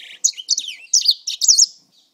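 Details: Short burst of grey singer song from a bird kept around four months: a few quick high whistled and buzzy notes tumbling together, ending in a fading slur, then silence.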